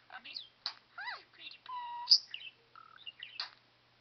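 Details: Captive male parakeet known for mimicking speech gives quick chirped syllables, zigzag whistles and one steady buzzy tone held half a second, ending in scratchy warbles.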